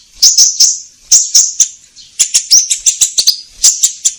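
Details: Orange-headed thrush song played to trigger caged birds to sing, with clusters of bright, high chirps, a short pause, then a quicker rattling series of piercing notes.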